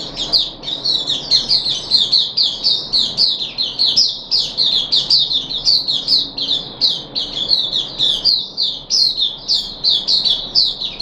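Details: Caged puff-backed bulbul during deworming treatment on 14 July 2021, delivering a long, fast, squawky chatter of closely packed high notes, with one short gap, against soft indoor hum.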